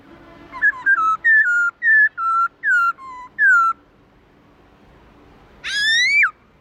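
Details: Black-throated laughingthrush singing in a wild, forest-style voice: a run of clear whistled notes, each a short slide or step, about seven in quick succession, a pause, then one loud rising-and-falling whistle. A faint low hum runs underneath.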